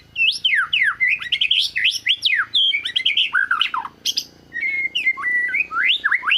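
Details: White-rumped shama singing in search of a rival, offered as a tutor song for other shamas. Loud, rich whistled phrases with fast sweeping slurs, fluting notes and short trills, broken by brief pauses, carrying on through the whole recording.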